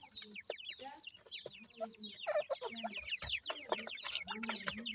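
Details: Francolin chicks with their family, giving a dense chorus of short, high, downslurred peeps in rapid succession, mixed with low soft clucks and occasional rustling or handling noises.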